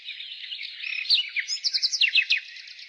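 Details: Nightingale in spring, singing a jumble of whistled and warbled notes that turns into a run of loud, quick, clipped chirps in the second half, with a constant high chorus of birdsong behind.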